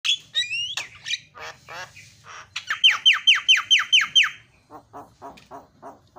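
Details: Javan myna, used as a lure to set other birds calling, gives harsh squawks and chatter. Then comes a fast run of sharp, descending notes about three a second, ending in lower rasping repeats.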